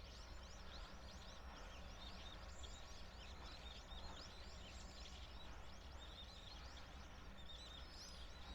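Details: Bohemian and Japanese waxwings in early April in Japan, feeding on discarded apples, give thin, high, sibilant trills, many overlapping continuously, over a steady low rumble of wind or distant traffic.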